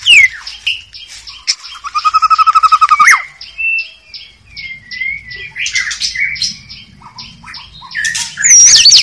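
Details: White-rumped shama song in the wild forest: a rapid mechanical rattle of repeated notes, then scattered whistles, slurred phrases and harsh squawky bursts, with a faint low rumble in the background.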